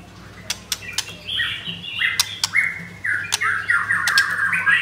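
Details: Captive white-rumped shama, blorok variety, in Kemayoran, Jakarta, Indonesia: rich sliding whistled phrases and squawky notes broken by sharp clicking sounds, with a steady low hum underneath.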